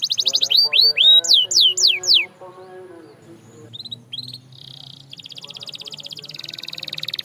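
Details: Canary song meant to prompt silent canaries into singing. Loud, slurred, falling whistles come in quick series, then pause before short buzzy phrases and a fast, high trill.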